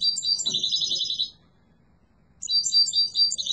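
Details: Strong, beautiful singing of a yellow mutation European goldfinch: fast liquid twittering and buzzy trills in phrases over a second long, broken by one silent pause.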